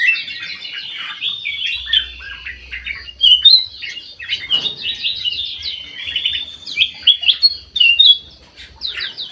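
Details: Captive golden bulbul in full song in an aviary: a rapid run of chirpy, down-slurred notes in a long, busy phrase, then sharper separate chips, with a low hum faintly underneath.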